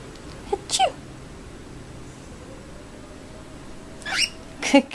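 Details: Female pet cockatiel giving short, sharp, breathy bursts like tiny sneezes to get attention; her owner calls it sneezing though it may not actually be sneezing.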